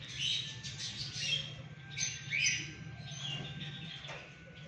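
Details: Alexandrine parakeet at 6 am giving short, harsh, raspy squawks in bursts, with a louder one near the middle, over a steady low hum and fainter chirping from other birds in the background.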